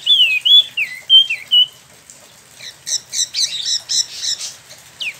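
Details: Spot-throated babbler, a cage bird from China and Vietnam kept in Bandung, Indonesia, delivers ngeroll song: several clear falling whistled notes, a brief pause, then a rapid chattering series of high, scratchy notes.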